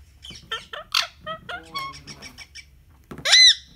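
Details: Pet rose-ringed parakeet giving a quick series of short, clipped chirps and squeaky notes with rich overtones, varying in pitch, then a loud, harsh squawk that rises and falls near the end.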